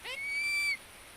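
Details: A Philippine eagle, stroked by hand from head to foot, utters a single high, sustained whistle. It starts with a brief rising sweep and holds steady for over half a second before ending with a slight upward flick.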